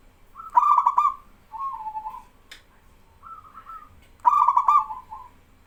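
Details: Local male zebra dove singing vigorously while learner doves answer. Loud bursting trilled coos at start and end frame softer, lower purring phrases from the responding birds in between.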